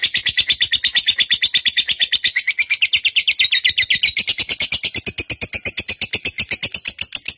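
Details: Fighter-type lovebird in captivity, used to provoke and train pet birds to sing: a long, fast, harsh chattering trill of evenly spaced buzzy notes, about seven per second, held steadily throughout without pause.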